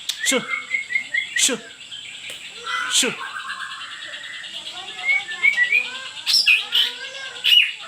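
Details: White-rumped shama song played as a lure to coax a reluctant, silent bird into answering: varied high whistled phrases with loud sharp downward sweeps near the start, over a steady high buzzing hum in the background.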